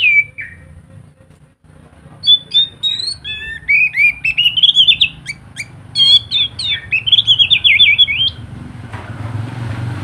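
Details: Scaly thrush singing energetically to prompt other thrushes to sing: after a lone falling note, a dense run of rapid, varied chirps and warbled whistles lasts about six seconds, ending in a brief burst of noise.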